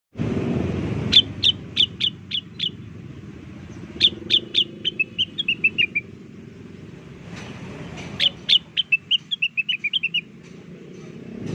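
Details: Blue-winged leafbird, also called rengganis, singing vigorously as a lure sound meant to draw a reply: bursts of sharp whistled notes stepping downward, repeated in three phrases, over a low rumbling background.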